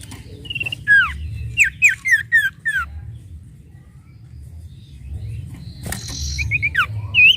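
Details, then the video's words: Sooty-headed bulbul, a bird used to provoke other birds into singing, gives a burst of clear downward-slurred whistles repeated several times, then a pause, a sharp click, and a second short phrase ending in a rising whistle. "pancing emosi burung sirtu bahan agar cepat bunyi"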